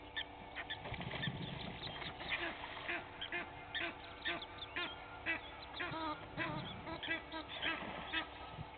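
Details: Two Egyptian goose families clashing at a waterhole on Djuma Game Reserve, Sabi Sand, South Africa, in the early morning: quieter overlapping honks and harsh quacks in irregular bursts, with splashing or wing noise and a constant low background hum.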